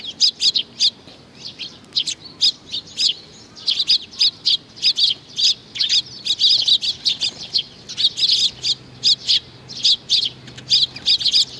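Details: Sparrows coming to be fed, recorded on 15 May 2019: a dense run of short, bright chirps repeated rapidly, several birds calling over one another with little pause throughout.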